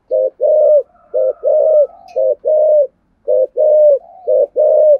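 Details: Full 'thổ sấm'-style spotted dove song with a two-part ending: deep mellow coos alternate between a clipped note and a longer sustained one, repeating steadily. Faint soft cooing carries between the phrases.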